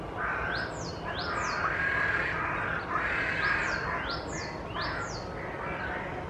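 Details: Group of carrion crows gathered in the largest tree of Children's Wood, Hull, posturing and fanning their tails in display without aggression; repeated calls sounding about once a second over steady background noise.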